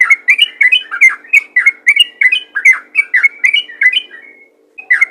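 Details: Bubbly, chuckling notes from a yellow-vented bulbul in 'ropel ngalas' style, a call for luring other bulbuls, delivered quickly and evenly for four seconds before a brief pause and one more note.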